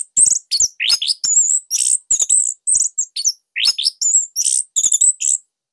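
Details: Loud, tight song of a caged Bali orange-headed thrush, used as a master to prompt silent birds to sing. A steady stream of quick, varied high notes, rising slurs and trills, with only tiny gaps.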